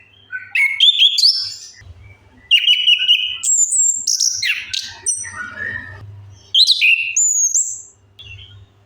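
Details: Orange-headed thrush song used as a lure to get silent birds singing: loud, varied whistled phrases, sliding and warbling between mid and high pitch, delivered in three long bursts with brief gaps.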